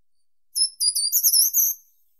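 A short-toed treecreeper sings a brief, high phrase of thin notes that climbs slightly toward the end.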